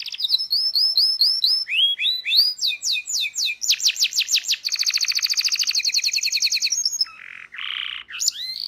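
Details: Local canary training song with full varied phrases: repeated whistled upsweeps, a fast buzzy roll of rapid notes, a long dense trill, then harsher downslurred notes, continuous and loud with no background sounds.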